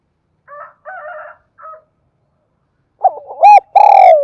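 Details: Spotted dove lure call meant to provoke wild birds during decoy training: faint, broken buzzy notes first, then a loud, slightly distorted phrase of hollow coos ending in a long, drawn-out note.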